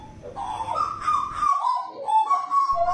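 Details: Papuan butcherbird whistling a rising, then gently falling, melodious phrase of clear tones, with a short lower note in between.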